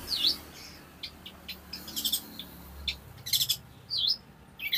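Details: Long-tailed shrike song used to tutor other birds and draw them into singing: varied mix of whistled down-up slurs, scratchy bursts and quick chips, delivered in uneven clusters.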